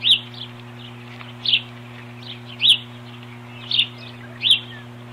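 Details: On 21 April 2015 an osprey pair defends its nest from an intruder with a series of five piercing, high, whistled chirps about once a second, with softer notes between, all over a steady electrical hum.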